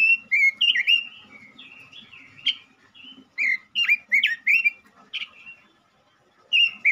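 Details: Male robin in vigorous song, used as a lure to stimulate other robins: loud whistled phrases of quick rising and falling notes repeated with short gaps, a quieter pause near six seconds, then one final whistled burst.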